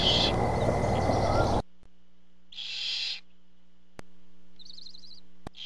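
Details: Barn owls at a camera-watched nest when a parent arrives with food. A burst of loud broadband rustling noise gives way to a single drawn-out hiss, then a brief high wavering chirp.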